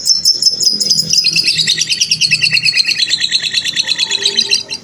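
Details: Fighter-type lovebird in a long ngekek trill, used as a model song for juvenile lovebirds: a fast, high, rattling series of pulses flows without pause for about four and a half seconds, slowly dropping slightly in pitch.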